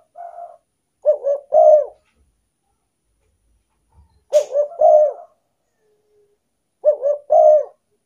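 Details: Spotted dove cooing used as a lure to attract wild doves, three full phrases every few seconds, each a double coo then a longer coo, plus a faint coo at the start and a brief click.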